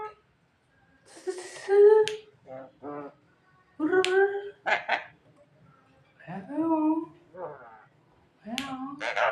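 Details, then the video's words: Pet Javan myna that can talk and imitate coughing, here giving a rasping hiss, then a string of nasal, speech-like syllables and harsh bursts, some wavering and falling, in a quiet room. "suara burung jalak kebo yang lucu dan bisa menirukan suara orang batuk"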